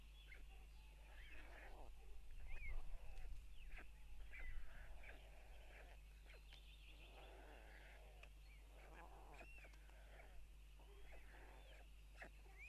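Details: Parents feeding chicks at a white stork nest in Tukums, Latvia, at 04:54 on June 12, 2022; a long run of wavering, mewing calls in repeated bursts, with rumbling, rustling and knocking noises in the first half.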